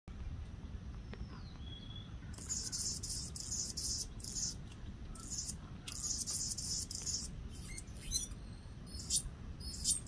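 Anna's hummingbird gives thin, scratchy, buzzy bursts of very high-pitched notes in rapid runs, with a soft whistle early on and a low rumble underneath.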